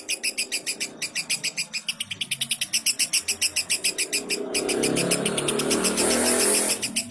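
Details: Chirping lovebird on a training recording for other lovebirds: quick steady string of bright, raspy chirps repeated several times a second, later overlaid by a swelling broadband hiss.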